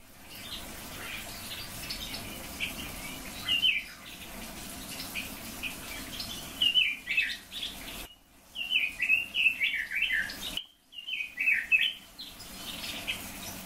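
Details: Red-billed leiothrix, recorded together with silver-eared mesias, singing bright warbled phrases that rise and fall in quick slurred notes, in bursts near the middle and end separated by short pauses, over a steady background hiss.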